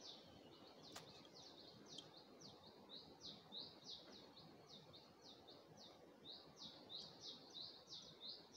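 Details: Bird singing at early dawn in Gulmit, Hunza, with a view of the Passu cones: a long run of high, thin chirps, about three per second, each sliding down, fairly regular, distant and soft over background noise.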